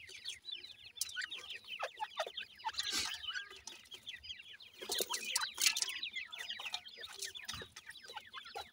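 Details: Continuous twittering of grey francolin chicks, Sindhi gora teetar, while feeding; many rapid high peeps overlap, and a few scratchy, noisy bursts stand out around the third and fifth seconds.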